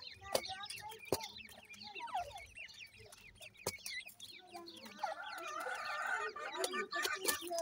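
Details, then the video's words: Grey francolin chicks calling at a nest: a dense chorus of high, slurred peeping notes that overlap continuously, with lower rough clucking notes and several sharp clicks. The peeping grows busier near the end. "gray francolin nesting,dakhni teetar chicks calling"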